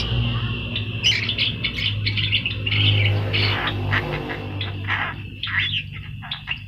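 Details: Javan myna (jalak kebo, yellow-eyed form) singing for a master training recording: harsh squawks and scratchy chatter mixed with short whistled notes, loud bursts separated by brief gaps, over a constant low hum.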